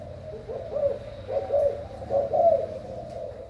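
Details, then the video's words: Thai-type spotted dove, recorded 24 February 2019, giving soft low cooing phrases, about three hoarse coo bursts spread over a few seconds, over a steady low hum. "Cu gáy thailan"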